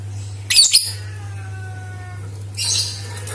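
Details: Lovebird chatter played to prompt other lovebirds into song: two bursts of shrill, scratchy twittering about two seconds apart, with faint thin whistled tones between them and a constant low hum underneath.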